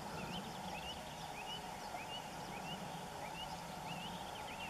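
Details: White wagtail at a river, settled on a dry tree forming an islet midstream, feeding on midges and carrying nest material to a nest hidden in a dense grass tuft; short rising chirps repeat about every half second over a steady rush of flowing water.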